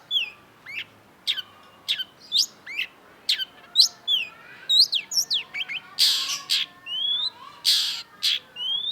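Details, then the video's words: Long-tailed shrike delivering loud, varied song: sharp descending and rising whistles, twisting slurred notes, then harsh buzzy bursts near the end, all high-pitched and spaced in quick succession. "cendet gacor WAJIB PUNYA !! KOLEKSI MASTERAN CENDET || Long-tailed Shrike"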